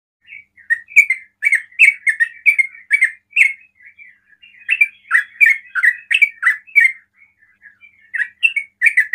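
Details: Sooty-headed bulbul singing in the rapid 'ropel' style that provokes other bulbuls to call: bursts of short, chattering, slurred notes around the same pitch, with a brief pause near the middle before the phrases resume.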